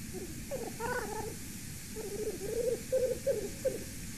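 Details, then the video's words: Black grouse calling near a golden eagle nest cam in Latvia, 6:37 PM, 8 September 2019: low, bubbling, dove-like cooing phrases in a rolling run of about three notes per second, over a faint steady background hiss. "A Black Grouse is calling"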